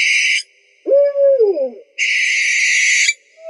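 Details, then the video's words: An owl, its sounds offered as a bird repellent, gives a harsh, hissing screech, then a wavering hoot that slides downward, followed by a second, longer rasping screech. "Owl Sounds To Scare Birds"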